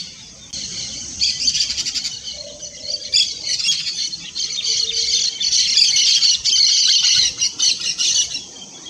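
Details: Yellow-chevroned parakeet song: near-continuous rapid, shrill, scratchy chattering, high and harsh with stuttering pulses, running for several seconds with brief pauses.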